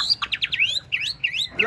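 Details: A caged Chinese hwamei sings loud, rich whistled phrases while bobbing its head and dancing: quick rising slurs repeated in a run, then looping up-down notes, bright and high.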